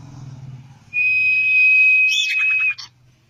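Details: Common iora song, used as a sound lure to make birds sing: one long, steady, high whistle held for nearly two seconds, ending in a few quick buzzy chirps, over faint low hum.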